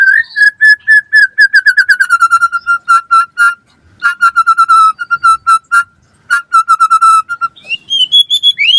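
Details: White-rumped shama singing gacor-style for pancingan and masteran: long runs of fast, evenly repeated whistled notes on one steady pitch, broken by short gaps, ending with higher rising slurred phrases.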